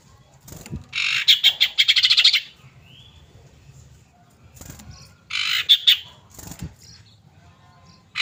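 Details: Calling female common iora, played to draw a male and get birds singing: two long, harsh, buzzy chatters of rapid pulses, a brief quiet slurred note between them, and dull knocks.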